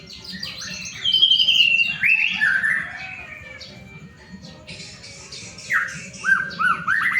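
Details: Lure song of a white-rumped shama, played to make other shamas start singing: varied high whistles, descending slurs and quick rising upsweeps, separated by a quiet pause, over a soft low hum.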